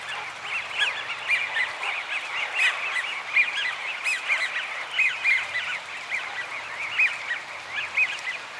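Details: American wigeon, a rare winter visitor often mixed into Eurasian wigeon flocks, recorded at Donggang Township on 30 November 2020; many overlapping whistled calls from a flock, rising and falling, come nearly continuously with no quiet gaps.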